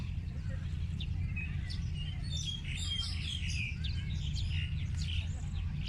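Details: Chirping birds producing busy bursts of bright, high twittering notes, some brief sharp whistles among them, backed by a steady low hum.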